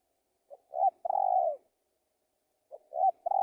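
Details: Cooing of a spotted dove: a three-part phrase of soft note, rising coo and long purring descending coo, then a pause and the phrase starting again.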